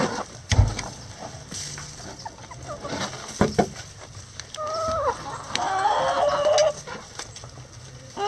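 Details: Backyard chickens go about their daily activity: scattered knocks and scratches give way to drawn-out, harmonic clucking calls that rise and fall over about two seconds, with low background rumble.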